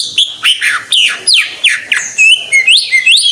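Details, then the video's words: Greater green leafbird in full, active song: loud, rapid sequence of sweeping whistled notes, some sliding down and some rising, delivered in quick bursts with barely a pause. "Suara Burung Cucak IJO FULL Gacor"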